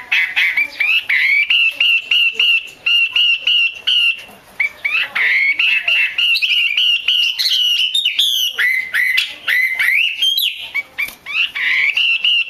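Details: Female Chinese hwamei giving a long, insistent series of sharp whistled notes, broken by upward-sliding slurs, a sound played to excite male hwamei into singing.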